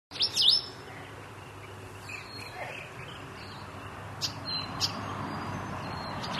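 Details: White-eared Monarch giving a quick cluster of high, sweeping whistled notes, then two faint high notes, over a steady background hiss, in Dayboro, SE Queensland, on 17 August 2010.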